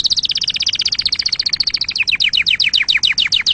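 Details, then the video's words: Canary singing played to tutor chicks and stimulate breeding: a rapid, even run of high two-tone notes that slows into crisp descending strokes repeated several times a second. "تغريد كناري أصلي لتعليم الفراخ وللتزاوج وتهييج طيورك"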